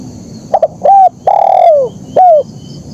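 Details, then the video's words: Spotted dove delivering a 'kuk 1' phrase: a quick double note, a short coo, one long falling coo, then a final short coo. Clear and close, with low background noise. "Suara Burung Kicau Terkukur Gacor KUK 1"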